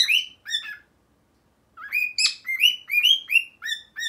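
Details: A newly acquired male pet cockatiel, indoors, sings a song: a run of bright, rising whistled notes, briefly pausing before resuming.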